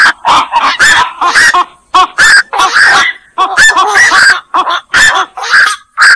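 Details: Black-crowned night heron: choppy, harsh squawks and wavering nasal notes in short separate bursts, roughly one to two per second, with overlapping voices.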